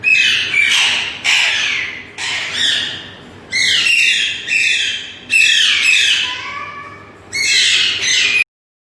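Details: Green parrots screech loudly and repeatedly, with grating, noisy calls about every second, one overlapping another, with a softer whistled note near the end before sudden silence.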